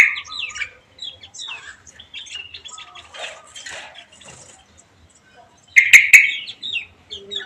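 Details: Caged songbird kept at home, placed in a shared aviary three days earlier to keep an opior jawa company. It gives varied, rapid, high chirps and warbled phrases in short bursts, with a loud, dense chattering burst near the end and brief pauses between.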